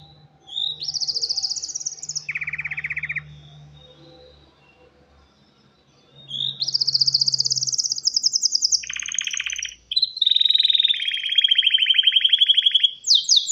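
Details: Male canary's mating song to a female: a high buzzy trill and a lower rattle, a quiet gap of several seconds, then long sustained rapid trills shifting between high and lower pitches.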